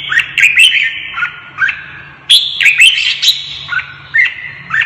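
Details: Caged red-whiskered bulbul in Vietnam, provoked into fierce competitive singing in a cage fight: bright, bubbly whistled phrases in bursts, with sharp rising and falling notes over a steady high-pitched background hum.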